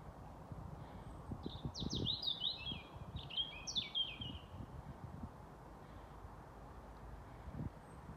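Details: European robin singing at dusk, 21:25 on 28 April 2022, in the last sunlight on a street corner in Haga, Sweden; quick, high descending warbles and sweet slurred notes in two close phrases, with distant low town rumble.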